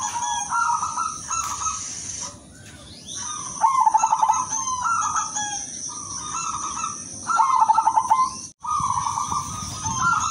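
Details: Repeated song phrases of a silver zebra dove, for prompting other doves and for therapy. Each phrase has short coos followed by a burst of fast staccato pulses, recurring several times. A steady high hiss runs throughout, briefly dropping out once.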